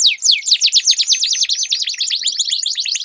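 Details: Two canaries locked in a singing duel, a rapid continuous trill of sharply falling whistled sweeps, bright and high, with notes overlapping densely.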